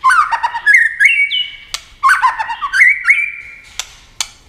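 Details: White-rumped shama in competitive speed singing, wing-flashing and tail-playing nonstop; two quick bursts of tumbling whistles, each ending in a held clear note, followed by scattered dry clicks.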